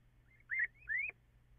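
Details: Little owl before dawn on 14 April, possibly two birds calling together, with echo noted: two clear upslurred mewing calls, the second rising higher and ending abruptly, over low background hum.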